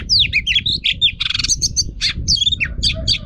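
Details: Female Oriental magpie-robin for training: a dense, loud, varied jumble of chirps, trills and falling whistles with barely a pause, over steady low rumbling background noise.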